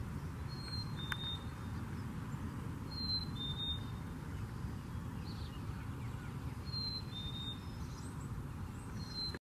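A Black-capped Chickadee whistles its clear two-note fee-bee, the second note lower, repeated about every three seconds over a steady low rumble of distant traffic.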